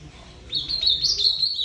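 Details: Ultramarine grosbeak starting abruptly after silence with a quick, sweet warble of linked whistles, rising slightly and ending on a slurred note.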